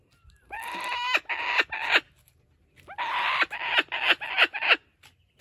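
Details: Laughing kookaburra at a wildlife sanctuary, racing off with a stolen stuffed toy and refusing to let go, gives loud harsh cackling laughter in two runs of rapid, rhythmic, ringing bursts with a short pause between them.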